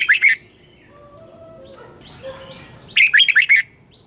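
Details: Red-whiskered bulbul singing in the morning in the 'giọng xoắn kép' double-twist style, used as training song: two bursts of rapid, bright warbled notes, one at the start and one near the end, with near silence between.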